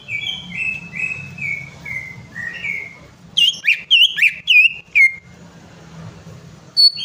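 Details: Greater green leafbird lure recording, meant to prompt a reluctant bird to sing: a run of slurred, slightly falling whistles, then a burst of loud, sharp chips and twittering notes, with a low hum underneath.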